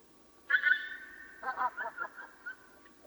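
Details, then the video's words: Swans calling before dawn: one loud nasal, harmonic honk with a drawn-out tail, then a run of about six shorter honks that fade out over a second, against a quiet, steady background. "Som de cisnes durante madrugada"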